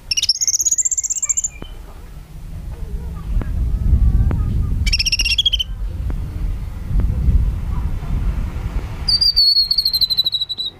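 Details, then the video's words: Sooty-headed bulbul giving three bursts of high, clear whistled phrases, the last a long sliding note, over a steady low rumble of wind or handling noise; long-phrased song used as a training master. "CUCAK KINOI GACOR TEMBAKAN PANJANG"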